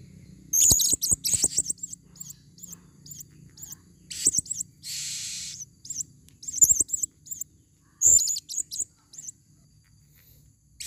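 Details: Female blue-crowned hanging parrot, a forest lure bird, calling in dense runs of high, thin, twittering squeaks with brief pauses, plus a short hiss of noise midway and faint low thumps.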